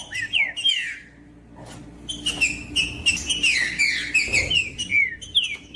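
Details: Female green-winged saltator calling to rouse males to sing, mixed with a singing male: quick descending whistled notes and sweeping slurs in rapid succession, partly masked by a rushing noise in the middle.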